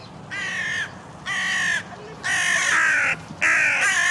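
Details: Several grey herons squabbling in a rose garden several hundred yards from a lake, a fight breaking out when they get too close; four harsh, rasping calls of half a second to a second, the last two louder and longer.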